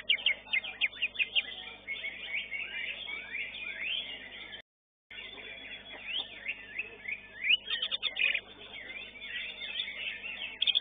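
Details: Greater green leafbird in a singing contest, a dense stream of high chattering and sweeping whistled notes, continuous and varied, with a short break midway and other competing birds in the background.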